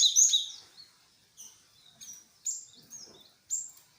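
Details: Glatik wingko, the great tit, in a lure call meant to get a reply: an opening burst of loud, high chatter, then single sharp whistled chirps spaced roughly every half second to one second.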